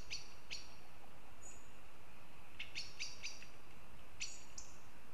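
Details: Northern goshawks in Riga, Latvia, giving short harsh calls: two spaced notes, then a quick cluster of four and a final pair, with faint high whistles between and constant low hiss.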